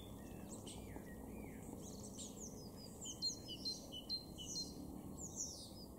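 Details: Garden blue tit in Weener, East Frisia, northwest Germany, recorded in April, giving a rapid series of high, thin, slurred call notes that grow busier and louder in the second half, over low rural background noise.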